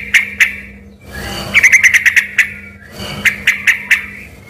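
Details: Lively sooty-headed bulbul song, once mistaken for a white-rumped shama, made of quick series of clear whistled notes at an even pitch, in two main bursts, with soft background noise and hum.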